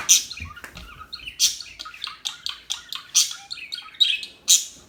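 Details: Calm small birds giving a busy run of high chirps and sharp tweets, with loud notes roughly every second and a half and softer twitters between.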